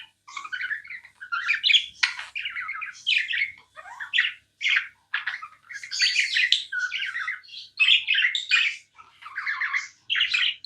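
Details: Nonstop chatter of a tame pet budgerigar: a long run of quick, scratchy, squeaky chirps and little warbled phrases in short bursts, steady and unbroken for over ten seconds.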